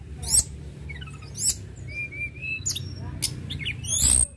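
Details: Sunda robin in lively song, mixing piercing high chirps with short level whistles and brief warbled phrases, spaced irregularly over a constant low background hum.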